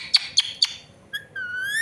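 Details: Pet green parrot giving clear whistled notes: three short sharp pips, then longer smooth tones that rise slowly, in a quiet room.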